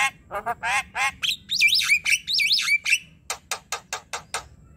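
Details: Chattering Javan myna song used to lure a quiet bird into singing: harsh nasal notes, twisting looped whistles, then a steady series of dry clicks.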